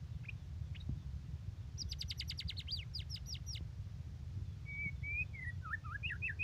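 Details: White-rumped shama singing vigorously: two short notes, a rapid burst of high repeated down-slurred notes, then whistles and a quick series of looping notes over steady low noise.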